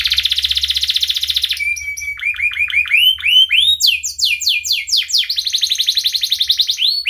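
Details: Canary song used as a lure to teach young canaries to sing: a long buzzy trill, then a thin steady whistle and rising upswept notes, ending in fast repeated downslurred chips and another dense trill.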